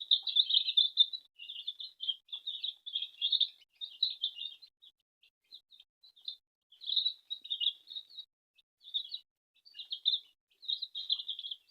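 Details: At home, a mother hen feeds her chicks, which keep up steady high peeping, many short chirps overlapping in a busy chorus.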